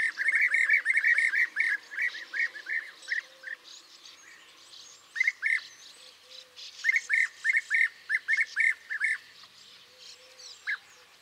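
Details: European bee-eaters (Merops apiaster) give rolling, liquid 'prruip' calls in quick bursts, several notes close together, with faint background chatter from other birds.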